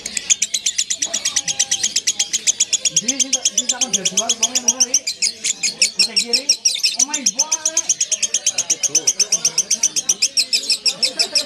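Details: Lovebird giving a long 'ngekek' song: a rapid, unbroken, high-pitched chattering trill, pulses about four per second, sustained for the whole stretch, with softer lower warbling and squeaky sounds underneath.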